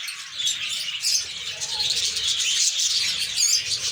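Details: A colony of lovebirds in breeding season, a dense continuous chorus of high shrill chirps and squeaky chatter from many birds at once, overlapping throughout without pause.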